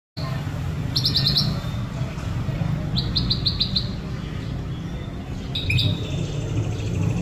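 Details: White-rumped shama singing while sunbathing: three short bursts of fast, high trilled notes spaced about two seconds apart, over a steady low rumble of background noise.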